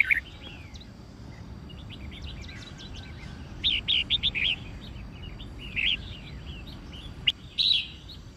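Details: Red-whiskered bulbul fighting song for training, white-cheeked form; scattered short warbled phrases and thin whistles, several quick chirp clusters separated by gaps, over steady background hiss.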